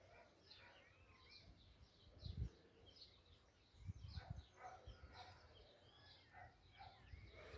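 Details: Several birds singing together in a continuous chorus of overlapping high chirps, twitters and short whistled notes, with occasional low thumps and rumbling noise underneath.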